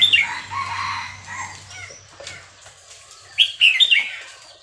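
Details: Red-whiskered bulbul of the Burmese type from Dan Singkhon, Thailand: a bright, warbling burst of notes opens, then quieter chirps, and a loud bubbly phrase near the end, over a low steady hum.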